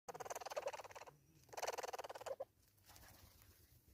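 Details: Hornbill giving two rapid, harsh cackling bursts of about a second each, roughly a dozen nasal pulses per burst, followed by a short double note and a quiet, faintly noisy background.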